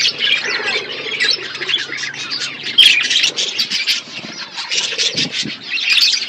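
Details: Flock of budgerigars eating winter food, giving dense overlapping chirps and warbling chatter with short squawky notes throughout, many birds calling at once.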